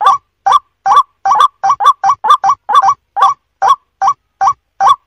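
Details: White-breasted waterhen lure call, said to bring distant birds gathering in: loud, clipped croaking notes with a short rising twist, repeated steadily about two to three times a second. No other sounds.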